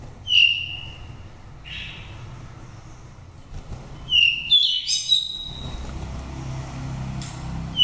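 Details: Five-season-old oriental magpie-robin from a Dak Lak nest in Vietnam, a wild-type voice used to stimulate or trap birds. A loud, sharp whistle opens, then a softer note, then a burst of quick varied whistles around the middle, against faint background hum.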